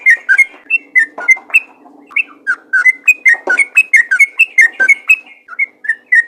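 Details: Rapid yellow-vented bulbul song in ropel gacor style, meant to spur other bulbuls into singing. Paired whistled notes tumble quickly, with a short lull in the middle before the lively run resumes.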